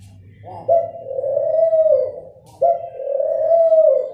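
A dove gives two long, low, hollow coos about two seconds apart, each a steady tone that swells slightly before fading, over a faint low hum.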